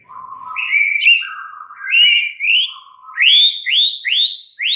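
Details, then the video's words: White-rumped shama, a caged bird, singing varied whistled phrases, ending in a fast series of rising upslurred notes repeated about every third of a second. "murai batu BISU, STRES, MACET TOTAL bakalan NYAUT GACOR dan Kembali FIGHTER"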